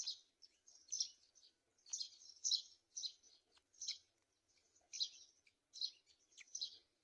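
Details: Black-winged kite chicks being fed at the nest; high, harsh squealing calls in bursts about every half second to second, fairly loud and clear against a quiet background.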